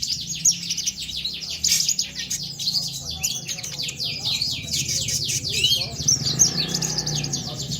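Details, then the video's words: Konin sunbird song used to encourage stalled sunbirds to sing. Fast, repeated downward-slurred high chips run in a long, steady stream, with a soft low murmur underneath. "KONIN GACOR BUAT PANCINGAN TROTOLAN"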